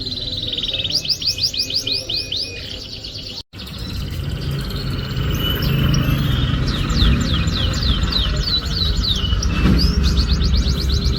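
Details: Canary song played as a lure for a canary that rarely sings: bursts of fast, high chirping trills, broken by a brief silent cut, then resuming against loud low-pitched background rumble.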